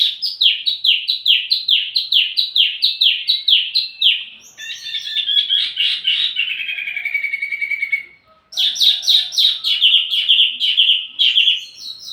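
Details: Wambi mini song used to draw in and tutor flowerpeckers: a long string of rapid repeated downslurred chirps, a buzzy descending warble, a brief silence, then fast rhythmic chattering trills.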